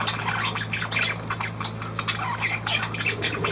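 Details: Budgerigars dated 23 June 2023 give a brief burst of high twittering and rasping squawks, with a low electrical hum underneath.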